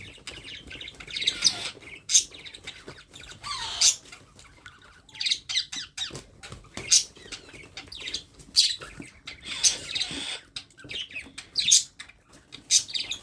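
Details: Baby parrot during hand-feeding, giving short sharp high chirps roughly every second, irregular, interspersed with quieter raspy notes and faint handling noise.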